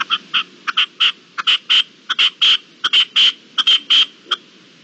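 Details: Loud, close red-legged partridge call at daybreak on 18 April 2021: rhythmic harsh chuffing notes in pairs and triplets, some with a ringing nasal tone, repeated steadily.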